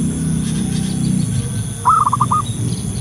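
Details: Local wild zebra dove calling outdoors, used as a lure call: one short phrase of quick rolling coos, with a steady electronic hum and low rumbling noise underneath.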